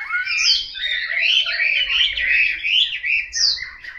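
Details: A captive Chinese hwamei kept in Hanoi sings a rich, unbroken stream of loud warbled phrases, sliding up and down with bright whistles and quick trills.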